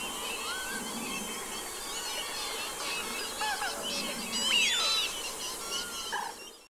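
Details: Eurasian wigeons, recorded 25 January 2022 in Aiguamolls Natural Park, Catalonia, give overlapping clear, whistled 'wheeoo' calls that rise and drop sharply, as from a flock, over a soft background hiss.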